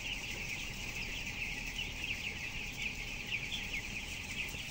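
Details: Twelve-day-old broiler chicks, 423 grams each, in a closed poultry house of 7,000 birds, giving massed shrill peeping that never pauses, set against constant fan-like droning.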